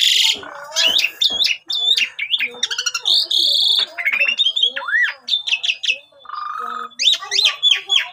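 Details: Lure song of an Asian pied starling, played to train young birds. A dense, varied stream of whistled slurs, rising and falling notes, rattling buzzes and a low nasal note, almost without pause.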